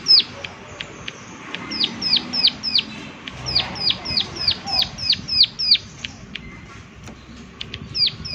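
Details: Prinia performing the 'klik klik' call in natural surroundings: long, rapid chains of high, crisp, downward-flicking clicks, about three per second, with brief gaps and faint low background rumble.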